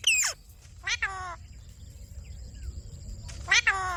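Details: Indian ringneck parakeet, a pet talking bird, giving three harsh, descending, rasping squawks, two close together at the start and one after a long pause near the end.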